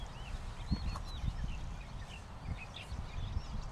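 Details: Several Oriental pratincoles give quick, clipped, tern-like chirps, some arched and some falling, in a busy overlapping chatter above a heavy low rumbling background with soft thuds.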